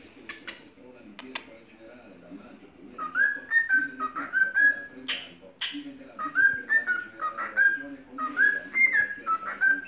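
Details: A cockatiel serenading a plastic bottle whistles a looping tune of bright, bending notes that rise and fall in quick phrases.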